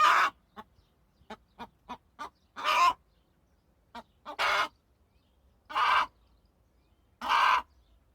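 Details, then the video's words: Hen of a home-raised flock giving a few short soft clucks, then loud, harsh, drawn-out squawking calls about every one and a half seconds, each lasting under half a second, in a quiet setting. "صوت الدجاجة"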